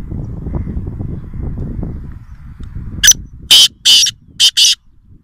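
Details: Black francolin at Nawabshah giving its grating call: a rhythmic run of five loud, rasping notes, short then long, spread across the second half after low background rumble.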